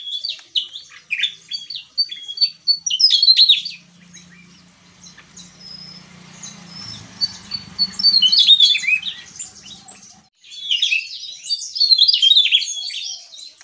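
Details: Javan tesia singing gacor ngeplong. Bursts of high, rapid, twittering notes and whistled slurs alternate with a quieter middle stretch where a low mechanical drone is heard, then the song resumes loudly.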